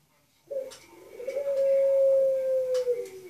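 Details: Pelung-style cooing by a dove indoors: after a brief rough opening note comes a long sustained even coo of nearly two seconds, easing downward at its close, with a few soft clicks in the room.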